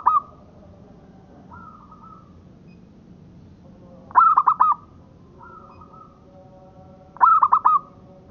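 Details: Song of a local zebra dove recorded for tutoring. Three bursts of rapid clipped notes, each sliding into a sustained coo, with softer drawn level notes between them, phrases roughly three seconds apart over quiet background noise.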